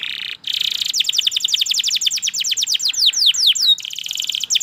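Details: Singing canary delivering a steady buzzy tone that breaks into a long rapid series of sweeping trilled notes, slowing into a few drawn-out downslurs before returning to a sustained rolling trill.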